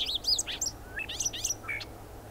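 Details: Bobolink song fragment, a rapid cascade of bright, twangy, banjo-like notes leaping up and down in pitch, ending on a short falling whistle.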